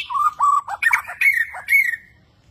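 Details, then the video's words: Borneo white-rumped shama, a newly kept bird displaying energetically with bowing movements, sings a short burst of fluty whistled phrases mixed with rough chattering notes, rising toward brighter, higher whistles before the song stops and near silence follows. "Burung Murai Borneo beraksi gaya mempesona"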